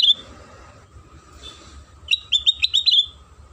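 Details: Sooty-headed bulbul song used as a lure to set other bulbuls singing: one bright note at the start, a pause, then a quick run of five or six clear, sharp notes.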